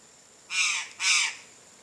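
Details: Chestnut-eared aracari, a free-living bird in nature, gives two loud, harsh, buzzy notes about half a second apart, each lasting roughly a third of a second, over a quiet background.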